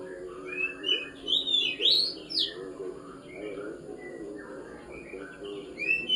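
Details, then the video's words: Oriental magpie-robin (kacer) after pengembunan (dew airing) sings loud, varied whistled phrases, sharp rising and falling notes in quick bursts with short pauses, over a soft low murmur in the background. "hasil dari proses pengembunan burung kacer"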